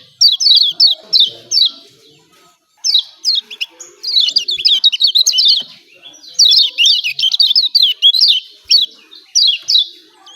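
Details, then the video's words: Yellow white-eye from Lombok, a 'ciak ciak' call used as a lure to prompt a reluctant bird to sing: rapid high chirps in quick bursts, sharp downslurred notes repeated several times a second, with short pauses between runs. "CIAK CIAK JOSS KECIAL KUNING AMPUH||PANCINGAN KECIAL MALAS BUNYI||"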